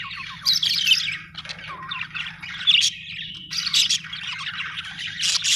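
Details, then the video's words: Australian budgerigars chatter in a busy, warbling jumble of high chirps, squeaks and buzzy trills, pausing briefly around the middle before resuming, over a faint low hum. "budgie chirping sound"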